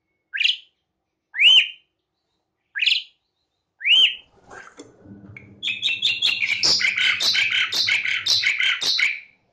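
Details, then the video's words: Energetic Asian pied starling song from a recording made to coax lazy caged starlings to sing. Four separate upslurred whistles come first, then a dense stretch of loud, scratchy chattering and squeaky notes over a low humming background. "MASTERAN SUARA BURUNG JALAK SUREN GACOR | GRACUPICACONTRA | ASIAN PIED STARLING SOUNDS"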